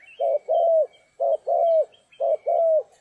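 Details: Spotted dove recorded during trapping in stormy, rainy weather: low, mellow two-part coos, a short note followed by a longer drawn-out one, repeated three times about once a second, with faint thin chirps of other birds above.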